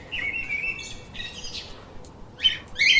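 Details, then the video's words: Chirping lovebirds: a long wavering buzzy note, a hoarse squeaky burst, then two sharp shrill chirps near the end, all high-pitched over a low hum. "Explore The Chirping little Parrots"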